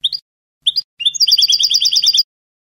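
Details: European goldfinch singing in the Spanish canto de salón style: short high chirps, then a rapid run of bright, repeated tinkling notes in a clean, quiet recording with no other sounds.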